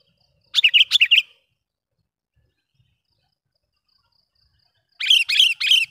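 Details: Sooty-headed bulbul call played to lure wild bulbuls: a burst of about five quick, bright chirps, a long silence, then a second rhythmic run of loud bubbly notes at the end.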